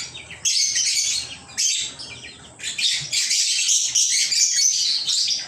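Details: A few pet lovebirds chirping in loud bursts of grating, high-pitched chatter separated by brief quiet breaks.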